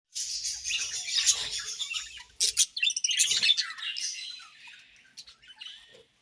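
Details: Budgerigars in breeding season chirping: dense, busy warbling chatter of high scratchy chirps and squeaks, continuous for about five seconds with a short pause near the middle, then fading to scattered notes.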